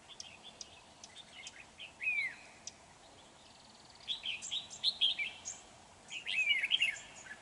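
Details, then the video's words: Red-whiskered bulbul kept as a trapping lure bird, 31 January 2019: lively whistled phrases with falling slurs and quick warbled notes, two longer bursts in the second half, faint clicks between. "Bẫy chào mào"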